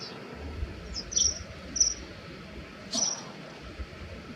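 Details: Common kingfisher, males fighting over territory with threat calls during a hovering aerial chase; three brief, shrill, very high piping notes spaced over a few seconds above a low, steady background rumble.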